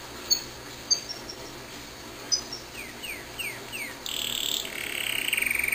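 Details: A pet canary's song, softly heard: a few sharp high chips, a series of quick down-slurred whistles, then a harsh buzzy trill.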